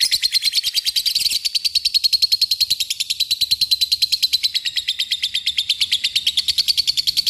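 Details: Lovebird in a long ngekek, a call meant to provoke rival birds into singing: an unbroken, very fast high trill of rapid pulsed notes, steady and shrill throughout about seven seconds.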